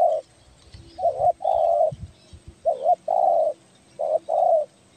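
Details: Spotted dove calling, used for luring: low soft cooing phrases, each a short note followed by a longer drawn-out coo, repeated three times over five seconds, with faint low rustling in the background.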